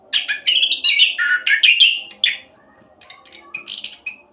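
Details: Rapid rolling song of an orange-headed thrush, played to prompt other birds to sing. Quick mix of harsh squeaky phrases and sharp high whistles, bursts coming about three per second, over faint background hum.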